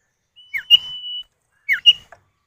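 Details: Common iora pair, male and female answering each other, recorded as a lure for other birds: a downslurred whistle followed by a long steady high whistle, then another falling note and a short rising whistle.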